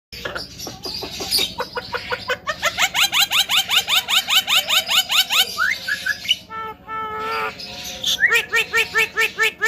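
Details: Javan myna bobbing its head, giving fast runs of sharp, harmonic, upward-sweeping notes repeated about twice a second, with a brief harsh burst and a pause midway before the notes resume.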